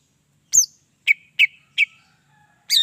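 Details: Greater green leafbird song used as bait for other leafbirds: a high slurred whistle followed by three crisp chips and a final bright note.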